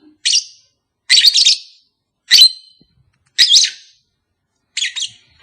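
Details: Lovebird calls for a pet pair that has not yet mated: harsh, high squeaky chirps in short bursts roughly once a second, some doubled, with clean silence between.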